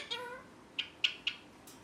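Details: Pet rose-ringed parakeet: a faint nasal, speech-like sound at the start, then three crisp, high chirps spaced roughly a quarter second apart.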